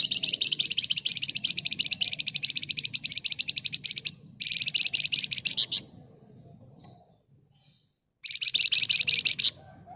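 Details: Energetic Flamboyan bird song in the dense ngebren nyerecet trilling style, meant as a lure so other birds reply quickly: long, fast, buzzy high-pitched trills in three bursts separated by short pauses, with low background rumble.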